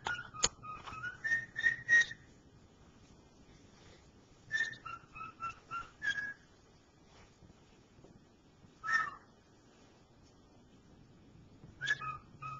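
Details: Indoor male cockatiel practising "Dixie", a melody he has not quite mastered: bursts of clear whistled notes that step up and down, separated by gaps of a few seconds, over a faint low hum.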